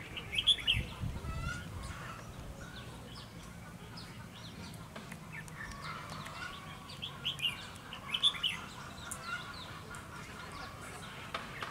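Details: Red-whiskered bulbul song from a decoy bird used for trapping in Hòa Bình: short bright chirpy phrases in bursts near the start, middle and end, with quiet gaps, faint background chatter and low rumble.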